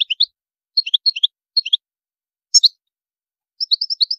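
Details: European goldfinch singing in a style described as having high maqamat: short bursts of bright twittering chirps in separated phrases, then a quicker run of tinkling notes at the end.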